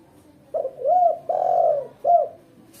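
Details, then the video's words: Hoarse phrase from a female spotted dove, intended as a lure and tutor for beginner birds: a short double coo, a long level coo, then a short clipped coo, in a quiet setting. "Suara tekuku betina gacor jos buat pancingan dan masteran pemula"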